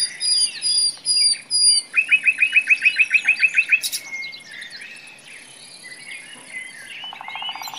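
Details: Common nightingale singing in a forest, a varied song: high whistled notes, then a fast rhythmic series of about twelve loud, sharp repeated chirps, followed by quieter warbled phrases and a brief buzzy rattle near the end.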